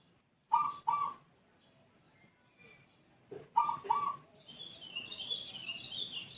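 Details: Zebra dove whose voice is unusual and differs from local and Bangkok birds, calling diligently and at length: two paired rolling coo bursts three seconds apart, followed by a steady background hiss.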